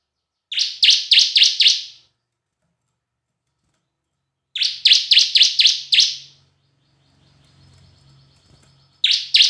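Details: Bar-winged prinia singing semi and kristal style lure phrases: two bursts of five bright, rapid high chirps, a soft low hum in a pause, then a further phrase beginning.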